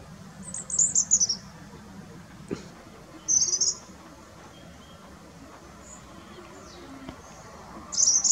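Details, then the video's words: European robin singing in France: three short, high, thin warbling phrases, each about half a second, spaced a few seconds apart, over a faint low background hum. "Robin singing"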